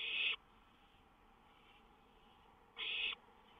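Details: Owl at night on a lookout, 19 May 2013, a songbird nearby. Two short, breathy hiss bursts stand about two and a half seconds apart against a low steady hum.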